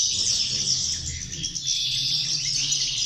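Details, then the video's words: A chorus of European goldfinches produces rapid, overlapping high twitters and tinkling notes. The notes pour out densely, at nearly four per second. "corona de caderneras a 6 remesas (jilgueros)"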